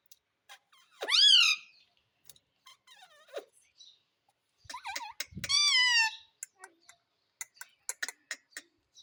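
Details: Pet Indian ringneck parrot, taught to say "mummy": two long, drawn-out, squawky, overtone-rich calls with swooping pitch. Scattered soft clicks and ticks sound between and after them, with a low thud under the second call.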